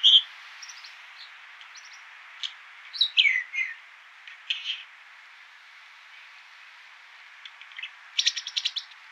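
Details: American dipper, or water ouzel, giving scattered high chirps and a descending slurred phrase, then a pause and a burst of rapid buzzy notes at the end, with faint steady road-noise hiss.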